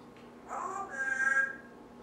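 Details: A talking pet Timneh parrot indoors makes a brief, nasal, voice-like sound that swells and holds for about a second before fading.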